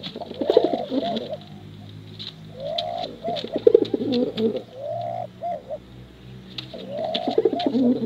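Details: ['Several male and female contest pigeons give low rolling coos in separate bursts with short quiet gaps between them, over a faint steady hum and scattered dry clicks.']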